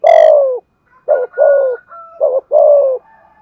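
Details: Spotted dove decoy calling, thúc gù cooing in giọng thổ style. A long, strong falling coo is followed by shorter clipped notes and further coos, while a faint steady high tone runs underneath.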